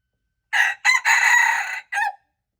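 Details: Red junglefowl crowing, February 26, 2025: four-part rasping cock-a-doodle-doo after a half-second of silence. Two short syllables, a long drawn-out middle note, and a brief clipped ending.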